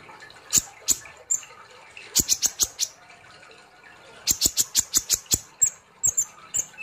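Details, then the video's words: Konin sunbird in lively nembak-style song: clusters of sharp, very high ticking chips fired in rapid runs of four to eight, separated by short pauses. "Terapi kolibri Ninja ( konin ) Gacor Ngobra Nembak"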